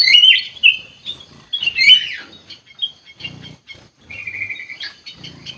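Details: Black-capped bulbul in lively 'gacor' song: rich slurred whistles at the start, a busy middle flourish, then a steady run of even, repeated whistled notes followed by brighter closing phrases.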